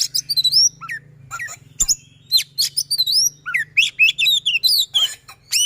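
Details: Rapid, dense song of a white-rumped shama given as a fast rolling prompt for a silent bird: sharp whistles, upward and downward slurs and chattering bursts in quick succession over a low steady hum.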